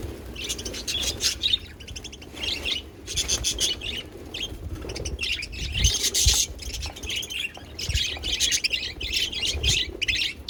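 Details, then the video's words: Pet budgies singing a long, continuous chattering warble of buzzy chirps and squeaks in rolling bursts, with brief pauses between phrases. "beautiful budgies sound | parakeet singing"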